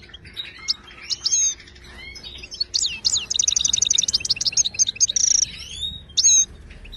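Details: Tutor song of a Moroccan goldfinch for caged birds: scattered sharp chirps and slurs at first, then a fast ticking trill of repeated notes, a brief buzzy burst and a few closing whistled notes.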